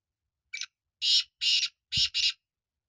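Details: Black francolin phrase of five rasping notes: a short first note, then four longer coarse, buzzy notes. A soft low thump sounds under the fourth note.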